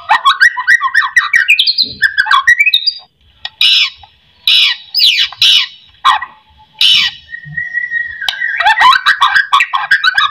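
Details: White-rumped shama song meant to stir lazy shamas into singing. Fast, jumbled chattering phrases give way to several harsh, separate bursts, then a long steady whistle and a closing run of rapid notes.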